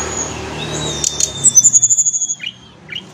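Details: Sunda blue robin, said to reliably answer in the morning and afternoon: a long thin steady whistle under a fast high trill of about ten rapid notes, then a few short squeaky chirps, against a quiet low hum.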